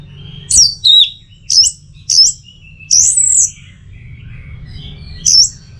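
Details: Orange-headed thrush song used as training and trigger material for kept birds, aimed at its teler singing style: high, sharp whistled notes with downslurred and looping phrases, delivered in separate bursts with short pauses, plus a low background hum.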